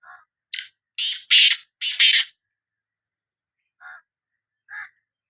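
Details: Sindhi kala teetar, the black francolin, uttering a grating phrase of five harsh notes that climb in loudness, followed after a pause by two quieter, lower croaking notes.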